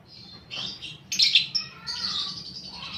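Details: Fighter lovebird lure recording with squeaky, buzzy chatter and a loud shrill burst near the middle, followed by a drawn-out, thin, wavering squeal over a faint low hum.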